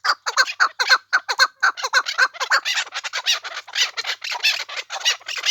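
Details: Chukar from the Pamir: a rapid series of harsh, clucking notes, each short and grating, delivered in quick uneven runs that become denser and rougher toward the end.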